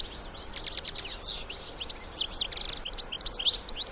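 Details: European goldfinch adults and young in the wild chirp and twitter in bright high notes, some sliding downward, in irregular bursts that grow louder toward the end.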